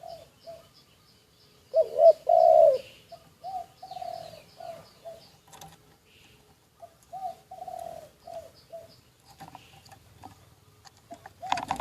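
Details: Spotted dove kept as a decoy, secretly recorded: one loud cooing burst early on, then a long run of softer, evenly paced short coos, with faint clicks and tapping toward the end.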